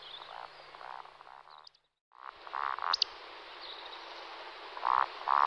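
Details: Eurasian woodcock display flight (roding) by two males: low, croaking grunts in short bursts, broken by a sharp, high squeaky 'tsiwick' around the middle of the clip.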